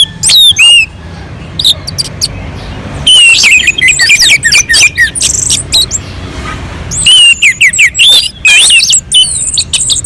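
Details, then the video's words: Orange-headed thrush on a mountain slope, singing as a lure to set other birds singing: bursts of loud, varied whistling and chatter separated by quieter gaps of a couple of seconds, with a soft low hum throughout. "kicauan anis merah sangat merdu dan gacor untuk pancingan"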